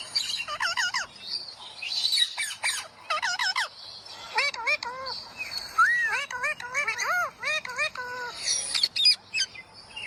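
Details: Green parrot vocalising: bursts of harsh squawks, then long runs of quick, bouncy whistled chirps, each note rising and dipping, repeated many times in fast series.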